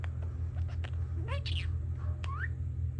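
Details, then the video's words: Pet budgerigar chatting indoors while construction noise goes on outside: a few sliding, rising whistled notes and clicks over a heavy, steady low rumble. "Talking Parakeet"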